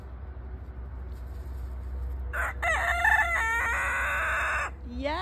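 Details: A Silkie rooster crowing in the morning while learning to use his voice: a low background hum, then a broken crow of rising syllables and a long held final note. A person's voice starts right after.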